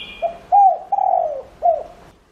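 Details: Decoy spotted dove cooing to attract wild doves: one phrase of a short low note, an arched coo, a long drawn-out falling coo and a final curved note, with a brief high whistle at the start.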